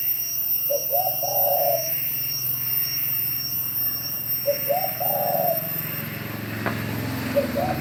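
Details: Spotted dove calling in Bao Loc, Lam Dong, Vietnam: two soft cooing phrases a few seconds apart, each a short stuttered lead-in then a longer coo, over steady traffic rumble and a high electrical whine.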